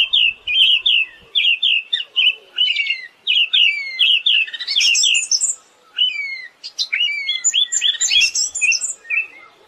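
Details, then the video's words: Siberian thrush song: dense, varied phrases of quick chirps, trills and short whistled slurs, mostly high and bright, with brief pauses between bursts and a few soft low knocks. "Master suara burung anis"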